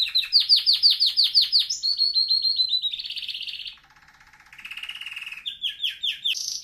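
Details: Training song of a canary: a string of quick repeated chopped notes, a steady trilled tour, a lower soft rattling roll, then rising trills and a final bright high phrase.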